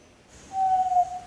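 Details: Start of a yellow-legged tinamou song, Rio Doce State Park, Brazil: after a brief silence a pure, low whistle begins and holds steady to the end.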